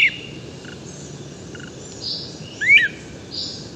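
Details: At the crack of dawn, recorded from right beneath it as it starts its dawn song, a Great Crested Flycatcher gives two loud, whistled, rising-then-falling rip calls about 2.5 seconds apart, with a soft trill of low-pitched notes between them.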